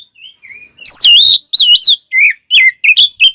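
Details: Oriental magpie-robin song, used to provoke other magpie-robins: soft, low whistles at first, then loud, wavering whistled phrases and short, bright notes in quick succession.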